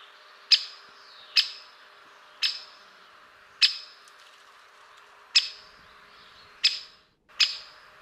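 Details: A great spotted woodpecker (Dendrocopos major) gives seven sharp, high 'kix' notes, spaced about a second apart, over a faint steady background hiss.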